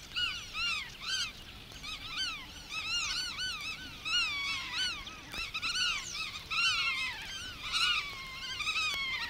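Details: Several black-tailed godwits, in a 1979 field recording from Matsalu's water-meadows and coastal pastures, give nasal, arched calls in quick overlapping runs, each note rising then falling with a twangy, harmonic ring.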